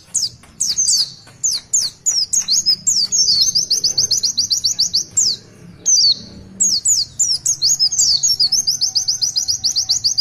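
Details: Master-class Oriental white-eye (pleci) in long 'tulitwitwit' song: clusters of falling whistled notes alternating with fast, evenly spaced twitters, high-pitched and sustained.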